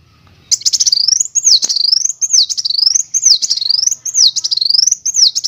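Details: Van Hasselt's sunbird master song used to train other birds to sing, featuring rolling trills: a steady run of very high, thin, rising-and-falling whistled loops repeated about twice a second for five seconds.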